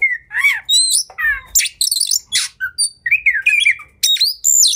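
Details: Oriental magpie-robin singing aggressively, meant to stir rivals into tail-spreading: rising and falling whistles, harsh buzzy bursts, and wavering notes in quick succession, ending on sharp high upslurs.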